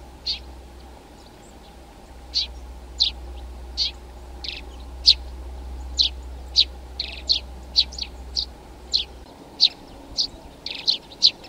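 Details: Eurasian tree sparrow, male and female alike in plumage, uttering a long run of sharp high chirps, scattered early and growing denser and quicker later, with faint low background rumble.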